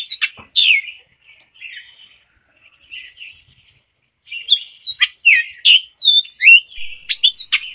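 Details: Hispaniolan oriole (Icterus dominicensis) song: high, bright chirps and short whistled slurs, a quick opening burst, quieter notes, then a busy jumble of several notes per second.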